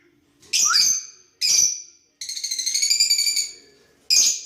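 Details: Lovebirds interacting with each other: shrill, piercing high chirps, one with a quick rising note, and a longer trilled, buzzy squeal in the middle.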